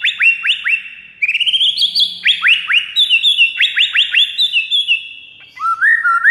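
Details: Lure recording of a white-rumped shama singing to draw in rival males: varied loud, ringing whistles, rising slurred notes and rapid trills in shifting phrases, with a brief pause before a lower whistled ending.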